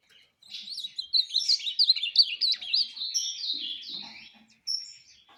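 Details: Ultramarine grosbeak, a competition singer in the 'fibra' style, pours out one long, fast phrase of zigzagging whistled notes that slows and fades, ending with a thin high whistle.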